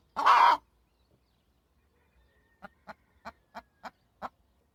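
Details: Chicken hen letting out one loud, hoarse squawk, then after a pause six evenly spaced soft clucks, about one every third of a second.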